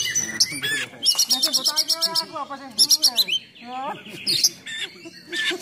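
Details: Oriental magpie-robin song, harsh and full-throated, used to provoke and train other magpie-robins: fast rattling high trills alternating with lower churring, slurred notes, delivered in quick varied bursts.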